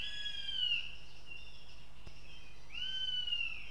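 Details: Young northern goshawk at the nest in Riga, Latvia: two long, thin, slightly descending whining cries with a quiet gap between them, against constant low background noise.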